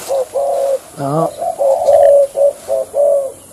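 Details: Spotted dove, a captive decoy bird used for trapping wild doves, gives a quick run of soft, low coos, about eight notes in three seconds, with a brief harsher sound near the start; the owner says its form is erratic.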